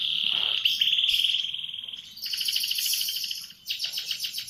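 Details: Canary singing in the morning: a long steady whistled trill for about two seconds, then bursts of rapid buzzy trills at a higher pitch, with a short dip before a final rattling phrase.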